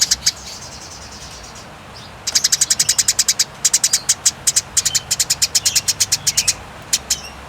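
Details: Eurasian tree sparrow fighting call, a long clear rattling type, recorded as training audio for songbirds: brief chirps, then about four seconds of rapid, sharp, high chips in tight bursts of several notes, ending in a soft faint note.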